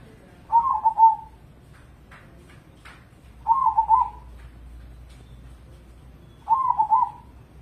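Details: Crossing-type zebra dove from Indonesia, a caged competition bird, singing actively. Three rolling, bubbling coo phrases at mid pitch, each under a second long, come about every three seconds over a low background hum.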